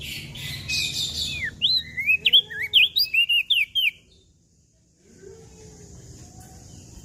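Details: Mountain leaf warbler in lively full song: a quick run of about nine high, slurred whistled notes, each sweeping up or down, bunched into two seconds before silence. Faint background hiss.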